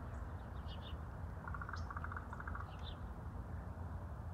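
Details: In the afternoon, one of two ravens that found a dead rat in a neighbourhood gives three quick bursts of rapid, hollow popping notes over a steady low rumble, with faint high chirps from small birds.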